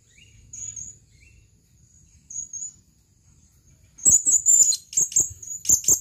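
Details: Male blue-crowned hanging parrot calling for a female; thin high whistles at first, then a rapid run of sharp, very high chirps packed closely together.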